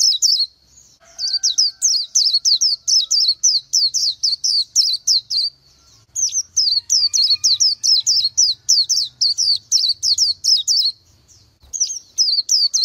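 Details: Oriental white-eye song of quick, high, squeaky notes bending downward, delivered in fast bursts of roughly three per second, with brief gaps between long runs and a faint low hum underneath.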